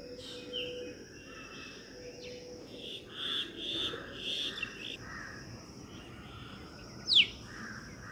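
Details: Female black drongo visiting a birdbath on a wall near trees by a home, recorded on a mobile phone: scattered short chirps and whistled notes, one sharp downslurred note near the end, over a steady background hiss.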